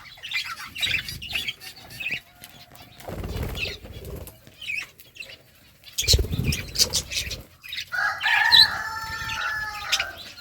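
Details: Budgies feeding on green food, with wing flutters and rustling early on, then a clear, slightly nasal harmonic chirping call near the end over light pecking noise.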